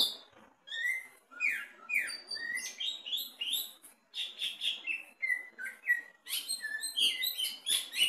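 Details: Caged greater green leafbird singing vigorously while placed at the bottom of its cage for a mental test: a rich, varied stream of bright whistles, slurred upward sweeps and sharp chirps, with brief pauses between phrases.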